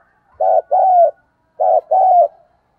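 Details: Decoy spotted dove cooing in the morning to call in wild doves: two paired phrases, each a short low coo then a longer, even coo, the pairs about a second apart, nothing else audible.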